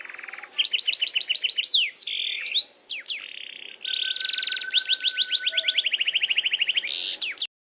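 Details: Long continuous canary song: strings of fast rising whistled notes, swooping slurs, a buzzy roll and a long steady trill of repeated notes near the end.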